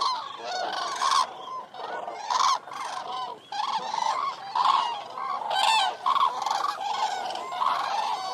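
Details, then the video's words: Several Eurasian cranes give loud, rolling trumpet calls, overlapping in bursts about every second, with a faint background hiss. "Birds Sound Effect Eurasian Cranes"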